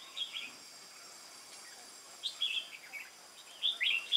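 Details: Red-whiskered bulbul, wild-caught and caged, in duel-style song on 22 October 2018. It gives a brief whistled phrase, a pause, then two bright, slurred, warbling phrases close together.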